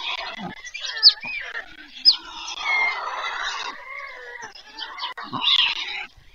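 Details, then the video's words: White stork chicks at their nest during evening feeding, near Leliaky village by Pyriatynskyi National Nature Park, Poltava region, Ukraine, 21 July 2024, from a nest camera stream. Overlapping nasal, wavering cries, with two sharp high squeals early on. "ВЕЧЕРЯ. ЛЕЛЕКА БІЛИЙ. ПИРЯТИНСЬКИЙ. УКРАЇНА 21-7-24-CHICKS. WHITE STORK"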